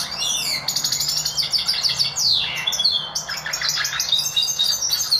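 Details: Caged goldfinch mule, a hybrid of goldfinch and Lizard canary, singing a rapid, continuous twittering song of high trills, chirps and short sweeping whistles with hardly a pause, recorded indoors.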